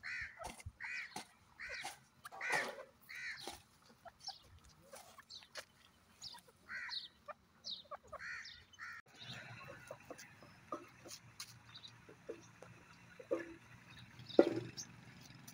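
A francolin gives a rapid series of harsh, grating notes, repeated about twice a second.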